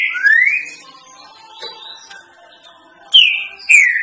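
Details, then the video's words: Green-winged saltator giving its three-note song, used for teaching young birds: a loud rising slurred whistle, a pause, then two clear falling notes, with faint whistles behind. "TRINCA FERRO 3 NOTAS BOI PROFESSOR"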